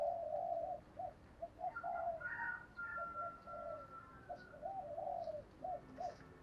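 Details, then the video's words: Spotted dove cooing in the thổ voice style known as 'thúc gù': short low coos repeated in uneven bursts over about six seconds, while another bird's higher, thin whistles run through the middle. "cu gáy giọng thổ THÚC Gù"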